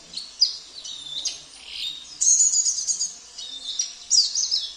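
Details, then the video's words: Sambas-type oriental white-eye singing a song filled with canary, cililin, kapas tembak and jenggot phrases: dense, very high buzzy trills and twitters that come in three main bursts, with softer pauses between them. "Terapi Pleci - Isian Mewah ( KENARI , CILILIN , KAPAS TEMBAK , JENGGOT )"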